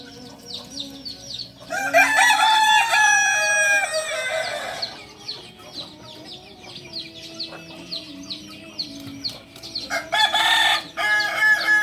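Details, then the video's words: Crowing Kukuak Balenggek singing chicken from Solok: a loud ragged crow lasting about three seconds trails into several level stepped tones, with soft high chirping throughout and a second short loud burst near the end. "Ayam kukuak balenggek ayam penyanyi asli solok"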